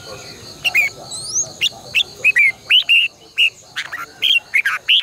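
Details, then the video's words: Red-whiskered bulbul singing in competition, morning song in the long double twisting style, recorded in 2020 as a decoy for training caged birds; a lively series of short, sharp, upslurred and downslurred whistles, repeated at uneven intervals over a soft pulsing hum. "luyện chào mào hót sáng 2020 - Giọng kép xoắn dài Quá hay hót căng lửa"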